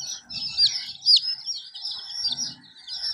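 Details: Chicken chicks with their hen, colorful babies: continuous high chirping from several birds, two louder sharp downward peeps early on, and soft low scuffling in the background.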